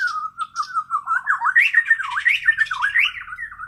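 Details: Kalimantan white-rumped shama delivering natural song learned without tutor recordings: a fluid sequence of loud mellow whistles, first steady and level, then swooping up and down in rapid rolling phrases.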